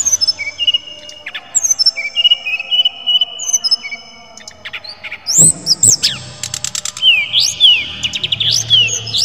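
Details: Canary singing: long steady whistled notes and quick repeated chips at first, then after a soft thump comes a bright, fast passage of rising upward-sweeping notes and dense rattling trills, repeated several times per second.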